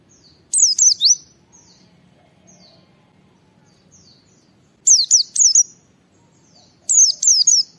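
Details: Vigorous 'ngalas' song of a white-eye played to stir other white-eyes into singing: three bursts of three or four piercing, high downslurred whistles about two seconds apart, with faint soft twitters between bursts.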